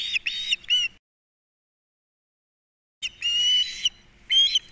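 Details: Osprey chicks, three osplets at a Captiva nest in 2022, the third especially active at feeding time; loud whistled chirps with bright overtones, a quick series of three, a pause, then a longer run of sharp whistles.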